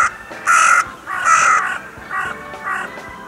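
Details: Crows heard at the Steinrevier feeding site, 6 January: a run of rasping caws, two strong ones followed by softer, shorter replies fading away.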